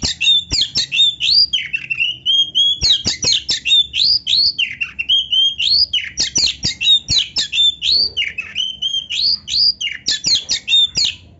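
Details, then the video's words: Kacer, the oriental magpie-robin, in continuous rich song: rapid, repeated bursts of high whistles, slurred rising and falling notes and sharp clicks, in phrases cycling every couple of seconds over a low hum. "kacer gacor full isian MEWAH NARUNG"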